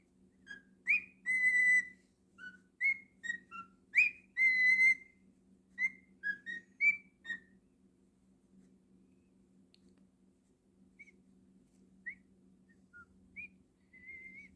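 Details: Pet cockatiel indoors giving a lively run of bright, clear whistles: short upslurred notes and longer steady tones, bunched in the first eight seconds, then a few thin scattered chirps over a constant low room hum.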